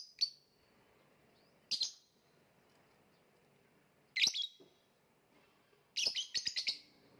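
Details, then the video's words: Lovebird kept for Indonesian songbird contests, giving sharp, high chirps spaced a few seconds apart, ending in a quick burst of four rapid notes over a quiet background. "voice of love bird/ kicau mania lovebird gantangan macet"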